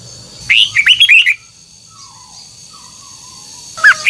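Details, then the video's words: Old wild red-whiskered bulbul singing twisted double notes: a lively phrase of rolling, rising whistles, then a pause with faint low tones, and the start of another phrase at the end. "Luyện giọng chào mào hót hay âm kép xoắn, ép chào mào hót âm kép già rừng hay tuyệt!"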